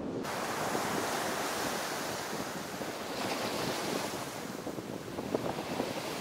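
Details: Steady surf and wind buffeting the microphone, with no animal calls audible.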